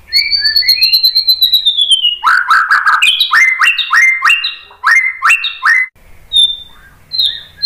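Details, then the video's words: White-rumped shama song used as a lure to set other shamas singing: a long high whistle falling slightly, then fast repeated sharp notes dropping into rich whistled phrases, ending with short upward whistles. "KICAUAN MURAI BATU bikin BUNYI NYAUT JADI GACOR BONGKAR ISIAN ¦ PANCINGAN MURAI ¦ SHAMA BIRD"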